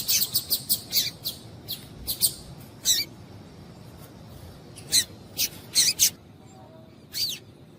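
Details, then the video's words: Female double-collared seedeater call used to excite males into singing: a quick string of high chirps at the start, then scattered single and paired tweets with pauses, over faint hiss. "Melhor Piado de Fêmea de Coleiro para Esquentar Coleiro"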